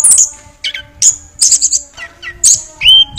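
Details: Chestnut-backed thrush (anis kembang) singing, a bird devoted to its owner: bursts of sharp, very high whistled notes alternate with lower quick chattering phrases, ending in a short rising whistle, over a faint steady low hum.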